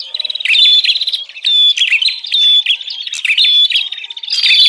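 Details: Prenjak ribut, a bar-winged prinia lure call also used to tutor young caged birds: dense, continuous high chattering trills packed with short whistles, nearly unbroken throughout.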